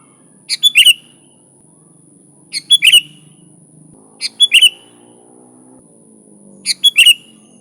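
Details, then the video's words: Vigorous sooty-headed bulbul song, unmixed recording used to lure bulbuls: four bubbly whistled phrases of about four notes, repeated every two seconds, over a low buzzing hum and a steady high whine. "Suara Burung Kutilang Gacor ASLI Tanpa isian, Ampuh untuk Pikat bikin kutilang Ribut gacor"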